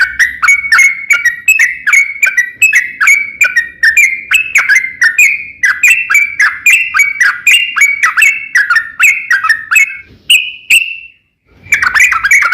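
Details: Yellow-vented bulbul in long, lively rolling song, used as a lure to set other bulbuls singing: a dense run of short chirpy notes dipping and rising, steady for ten seconds, then a brief pause and a last burst.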